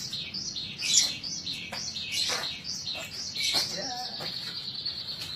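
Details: Kept bush lark singing vigorously in the gacor style: a dense run of high, thin chirps and trills with a few sharp descending notes, over a low background hum.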